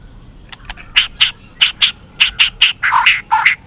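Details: White-rumped shama singing competitively with tail flicking: a string of about a dozen short, harsh, chattering notes repeated roughly every quarter second, ending in lower rasping notes.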